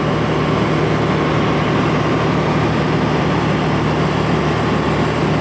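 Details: Steady loud low rumble of an idling engine or vehicle throughout, with no animal voice.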